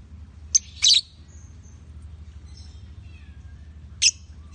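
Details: Male and female lovebirds give a few sharp, high chirps early on, with faint thin notes between them, and one more short chirp near the end, over a steady low hum.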